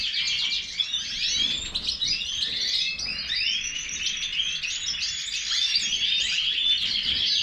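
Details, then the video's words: Major goldfinch song: rapid repeated twittering phrases with rising and falling whistled slurs and dry buzzy notes, running continuously. "Stieglitz Major -Goldfinch طائر الحسون الرائد"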